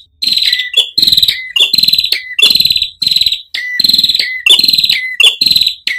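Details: Ashy tailorbird (Orthotomus ruficeps) song: loud, high, buzzy phrases ending in a lower dropping note, repeated about every second, over a gurgle of running water.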